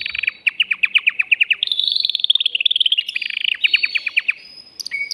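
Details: Excited caged male canary singing to stimulate a female for mating: fast runs of sharp chirped notes around the upper-middle register, shifting into a dense rolling trill, then quicker repeated notes and a brief high whistle near the end.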